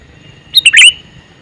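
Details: Single quick phrase from a calling male sooty-headed bulbul: two short chirps then a louder bubbly, warbled note, all within half a second, close and clear.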